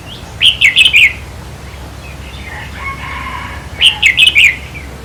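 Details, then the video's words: Red-whiskered bulbul song played to excite caged birds during decoy trapping: two bright bouncing phrases of about five notes, with a soft, blurry warble from another bird in the gap between them. "ต่อเพนียดนกกรงหัวจุกแก้มแดง เปิดให้นกฟัง ยั่วให้นกคึก"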